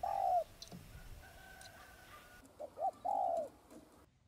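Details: Spotted dove coo played to stimulate other doves. A mellow note comes first, then a quieter phrase of two short curved notes and a longer sustained coo, over a hissy, noisy background with a faint steady tone.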